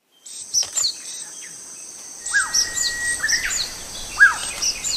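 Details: Banded pitta giving short, down-slurred whistled notes spaced about a second apart, over a high insect drone and scattered chirps from other birds.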